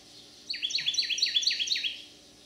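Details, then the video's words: Resident male Carolina wren singing loudly in a backyard in Manchester, St. Louis County, Missouri, on July 30, 2022: seven quick, ringing, down-slurred two-note phrases repeated in a rolling series over about one and a half seconds, with a faint steady hum beneath. "Carolina wren singing his heart out for joy"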